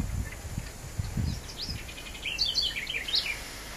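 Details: Peach-fronted parakeets (Eupsittula aurea) feeding on flowers at Pouso Alegre, Pantanal, Brazil, on 21.9.13, give harsh, scratchy screeches in quick bursts clustered near the end, over low rumbling background noise.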